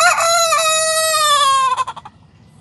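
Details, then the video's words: Sanjak cockerel starting to crow gives a loud drawn-out harmonic crow of about one and a half seconds, steady then dropping, ending in a few broken stuttering notes. "Sanjak Cockerel starting to crow"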